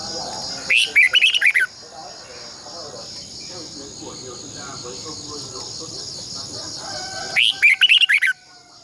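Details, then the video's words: Red-whiskered bulbul morning song in the long twisted double-voice style, used as a decoy for training caged birds: two short bursts of rich, warbled whistles about six seconds apart, over a steady high insect-like hum. "luyện chào mào hót sáng 2020 - Giọng kép xoắn dài Quá hay hót căng lửa"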